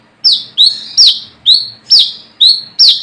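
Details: Brown-throated sunbird challenging rivals, a lure call: seven loud piercing notes, each falling then flattening into a buzzy tail, spaced about every half second.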